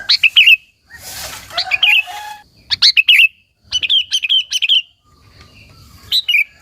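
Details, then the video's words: Lively 'gacor' singing of a sooty-headed bulbul, used as a calling lure to rouse other local bulbuls: quick, bright chirped phrases with warbling drops, repeated in four clusters separated by brief pauses and some faint rustling. "Suara Burung KUTILANG GACOR, Burung Kutilang Lain Emosi dan Ikut Gacor Ampuh untuk Suara Panggilan"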